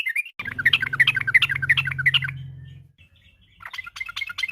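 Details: Afternoon yellow-vented bulbul song, a lure to make other birds sing: a lively string of quick chirps over a steady low hum, fading, then a softer scattered burst of chirps.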